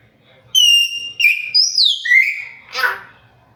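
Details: Pet hill myna talking with its owner, giving a quick run of clear tonal whistled notes that step and slide up and down, ending in a rough burst.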